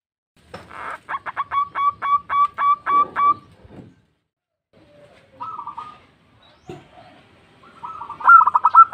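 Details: Local zebra dove calling to companions, used as a lure: a quick run of short clipped notes speeding into a longer sustained coo, then pauses and soft renewed cooing toward the end.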